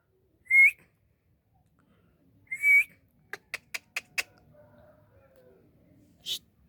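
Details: Pet Indian ringneck parakeet whistling twice, each note sliding upward and about two seconds apart, followed by five evenly spaced clicks and one more click near the end.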